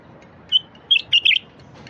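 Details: Bulbul song used to get silent wild bulbuls singing: one lead note followed by a quick run of three warbled, bubbling notes.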